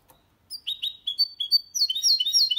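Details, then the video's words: A 2022 goldfinch × canary hybrid sings without errors, a song for stimulating males and teaching chicks; separate clear, slightly falling whistles come first, then a swift, busy twittering phrase. "Mixto de Jilguero Cantando Limpio 2022 para Estimular"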